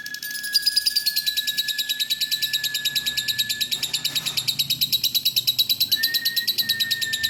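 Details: Female lovebird giving a long ngekek chatter: an unbroken stream of high, scratchy chirps, about three per second, held for the whole stretch over a steady thin whine.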